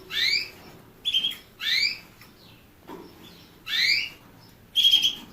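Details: Canary repeating bright rising whistles interspersed with flat, buzzy whistled notes, the notes coming irregularly every half second to a second over low background noise.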